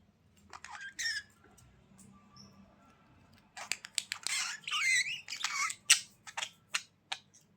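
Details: Budgerigars in a small indoor room: a few scattered high chirps at first, then dense buzzy warbling and sharp squeaky chirps from midway on, in irregular bursts.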